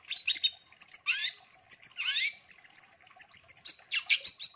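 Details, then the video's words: Long-tailed shrike in varied lure song: thin high whistles repeated in short series, broken by scratchy descending buzzes and sharp chips. "MASTERAN SUARA CENDET GACOR DOR ISTIMEWA NAGEN FULL ISIAN TEMBAKAN COCOK BUAT PANCINGAN"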